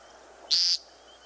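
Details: American woodcock giving its peent call from the ground during its display, in spring as the birds begin calling: a single short, nasal buzz about a quarter-second long, loud against a quiet background.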